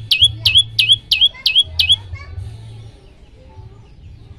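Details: Olive-backed tailorbird singing to encourage other birds: six emphatic, high, slurred chirps given about three per second, followed by more than two seconds of near silence with a faint low hum and one final note at the end.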